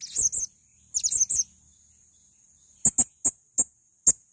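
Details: Male blue-crowned hanging parrot: two short clusters of shrill high chirps, a pause, then five evenly spaced sharp ticks roughly every third of a second.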